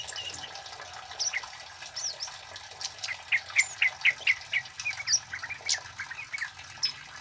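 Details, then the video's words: Singing male kemade (flowerpecker) for luring and tutoring: a quick, fairly even series of sharp high chips, about two per second, building in the middle, over a steady rushing background hiss. "Suara Burung Kemade Cit Keres Gacor Jantan"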